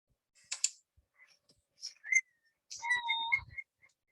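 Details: A local little owl in the UK, calling often, gives short, whistled, mewing notes, one sliding upward, then a steadier hooting tone. The call is likened to distant foxes. Scattered clicks and a few faint high chirps are heard, and the recording is poor.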